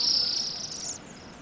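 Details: Bohemian waxwing flock at a rowan tree in a roadside yard, Pushkin, Saint Petersburg, Russia, in December; one brief high sizzling trill lasting under a second, then fading into quiet background.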